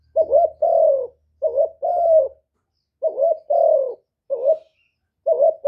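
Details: Decoy spotted dove calling to provoke wild doves, '1 hậu' style. About five paired coos, a quick rising note then a drawn-out descending coo, with a faint low hum under the first phrases.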